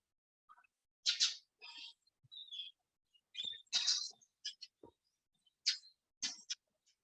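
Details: A Brown-eared Bulbul, a common, noisy resident bird of Korea, gives loud, harsh, shrill screeches, about four strong bursts in seven seconds, with a few thinner whistled notes between them.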